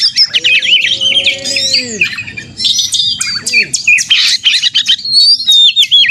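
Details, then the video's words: Energetic caged white-rumped shama song used to spur birds to sing: rapid chirps and whistles at about three per second, with lower drawn-out descending whistles in the middle, dense and overlapping. "kacer gacor konslet narung ini AMPUH buat pancingan kacer agar bunyi"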